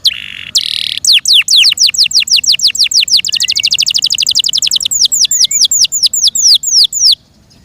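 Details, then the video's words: Yorkshire canary in full song: short buzzy bursts, then a long accelerating series of rapid downward-slurred whistles, about four a second, fading into quiet. "THE BEAUTIFUL SOUND OF FI YORKSHIRE CANARIES"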